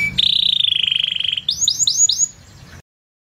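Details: Canary singing a fast, high buzzy trill held steady for over a second, followed by a series of quick rising whistled notes, then stopping abruptly.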